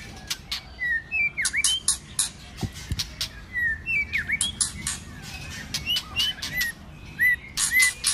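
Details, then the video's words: White-rumped shama in an energetic fighting song during the cold season. Scattered V-shaped and upslurred whistles sit between evenly spaced bursts of crisp clicking, with a couple of low thumps. "Kích Chòe Lửa hót căng tạch đập đuôi sổ nhiều giọng. kích chòe Lửa hót đấu"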